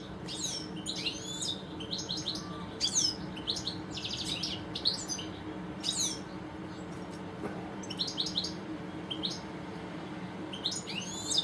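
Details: A pair of European goldfinches in a garden sing loosely spaced phrases of sharp falling notes, brief buzzy trills and tinkling twitters, scattered across the clip with short pauses between.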